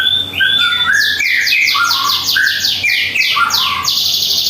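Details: At home in the morning, a white-rumped shama sings gliding whistles, then a brisk rhythmic series of high chirps layered over lower fluting notes, ending on a sustained high tone.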